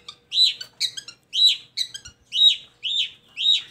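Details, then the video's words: Long-tailed shrike used to lure idle shrikes into song: seven loud, harsh, slurred notes, alternating with short clicky ones, spaced about half a second apart. "Pancingan Buat Burung Cendet"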